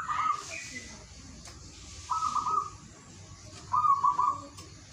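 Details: Local zebra dove singing in the morning, used to coax reluctant doves into song: three bursts of rapid, rolling, mid-pitched cooing notes spaced about two seconds apart, with faint chirps from other birds behind.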